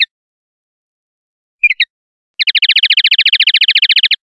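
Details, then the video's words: Common linnet singing in the clean 'pardillo limpio' style, 2021/2022 recording: one short high note, then a pair of chirps, then a rapid even trill of about twenty bright notes lasting nearly two seconds, silent background. "PARDILLO LIMPIO"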